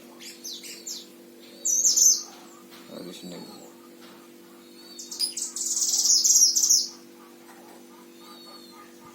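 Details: Oriental white-eye singing as a tutor bird in Sragen, Central Java, Indonesia: shrill, very high twittered bursts, a short one early and a longer chattering phrase later, over a steady low hum and brief rustling.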